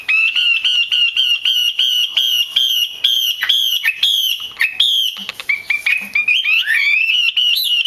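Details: Female Chinese hwamei calling to stimulate males to sing: a fast run of short, bright whistled notes at a near-steady pitch, then several rising, slurred whistles toward the end.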